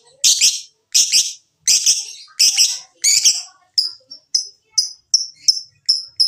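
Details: Lovebird lure for encouraging lovebirds to sing: five loud, rasping high squawks followed by a quicker run of thin, sharp whistled chips, about ten in total.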